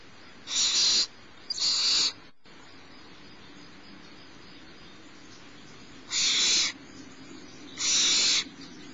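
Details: Smallest barn owl chick at Starr Ranch being fed by its mother, morning of 6 March 2011: rasping, hissed screeches in two pairs, two close together, then a long pause, then two more.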